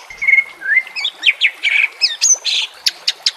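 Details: Recorded as a training aid for caged birds with nature sounds and water, white-rumped shama gives a long steady whistle, then varied high chirps, buzzy notes and sharp ticks in quick succession.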